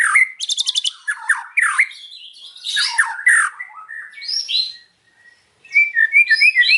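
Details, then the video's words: Afternoon song of a white-rumped shama, opening with a fast rattling burst, then rich slurred whistles and harsh notes, a brief pause, and a closing run of quick high chirps. "KICAUAN MURAI BATU SORE HARI"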